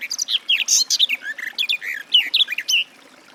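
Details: Sustained warble from a garden warbler, a bird of forest edges and riverside bushes: quick, mellow notes tumbling up and down without pause, bright chirps mixed with lower slurs, ending abruptly after nearly three seconds.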